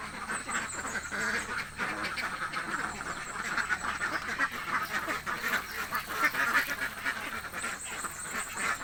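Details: Ducks in a village, described as very hungry, keep up a steady noisy chorus of overlapping rasping quacks, with faint high chirps above the flock.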